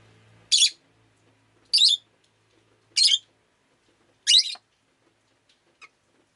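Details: Rosy-faced lovebird calling on a rainy day: four loud, harsh, shrill squawks spaced about a second apart, then a faint short note, with a low hum at the start.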